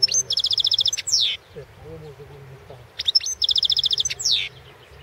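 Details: European goldfinch, Balkan subspecies, singing in the 2016 World Championship in Goldfinch Song held over the internet from Serbia; a fast, even trill of about twelve bright notes ending in a falling buzzy slur, heard twice.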